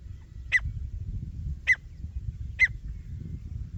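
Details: Grey francolin; call; attraction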